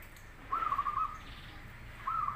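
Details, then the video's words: Zebra dove lure song, from a local or crossbred bird, to prompt other doves to answer: a rolling phrase of quick, bubbling coo notes, a short pause, then the next phrase starting. "Suara perkutut lokal vs Krosing cocok untuk masteran pancingan langsung Nyaut"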